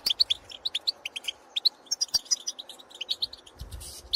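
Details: European goldfinches in the field calling to others of their kind: crisp, separated chirping notes in a steady tapping rhythm, a few higher squeaky twitters mid-way, low rustling at the close.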